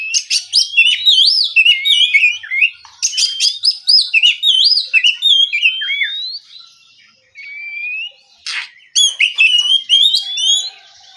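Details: Relaxed morning song of an oriental magpie-robin: energetic phrases of rapid varied whistles and trills in repeated bursts, a quiet gap, then a sharp burst and further warbling.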